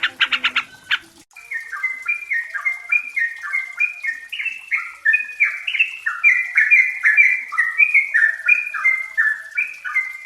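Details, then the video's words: Yellow-vented bulbul (trucukan, merbah cerukcuk), an untrained bird's close-tempo song played as a lure to get birds singing. A brief harsh burst opens, then a long run of quick, bubbly, warbled notes rises and falls in small steps without pause. "Pancingan TRUCUKAN BAHAN agar cepat bunyi dan gacor"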